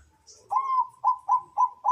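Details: Zebra dove (perkutut) cooing: one drawn-out mellow note, then a quick series of four short, clipped coos at steady pitch, each roughly a quarter second apart, against a quiet background.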